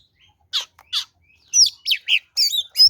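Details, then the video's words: Oriental magpie-robin in combative song used as a lure: two harsh chirps, then a rapid sequence of bright whistled slurs and buzzy notes rising in intensity. "SUARA BURUNG kacer gacor NGEPLONG TARUNG ini paling AMPUH buat PANCINGAN kacer NYAUT EMOSI"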